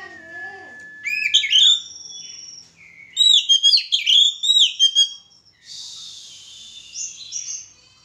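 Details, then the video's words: Oriental magpie-robin pairing for mating: a wavering low whistle and a long flat whistle, then ringing phrases of sharp, sweeping high notes, ending in a thin hissy note and soft twitters. "penjodohan burung kacer"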